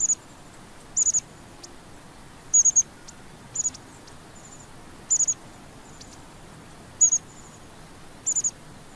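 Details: Long-tailed tit giving thin, very high, rapid two- to four-note calls about every one to one and a half seconds, each burst sharp and brief, over a steady background hiss.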